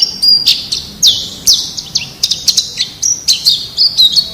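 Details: White-eye from the forest, used to train captive songbirds: high thin twittering with sharp downslurred chips and short sustained whistles, delivered in an irregular rapid stream.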